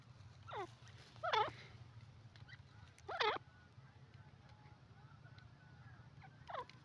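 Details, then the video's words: Francolin (teetar) calling: short, harsh, harmonic notes sweeping downward, given in four separated bursts about one to two seconds apart, two louder than the rest, over a steady low hum. "dakni teetar voice call sindhi teeter awaaz"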